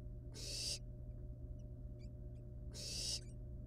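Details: Two rasping, breathy hisses about two seconds apart from wild barn owl nestlings at their nest while handling a still-living rat, with a constant low hum behind.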